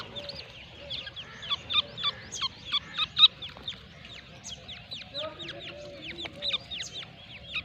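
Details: Irani-type grey francolin in Pakistan calling: a rapid series of sharp, high clicking notes, many per second, with lower nasal whistles mixed in and a steady low background rumble.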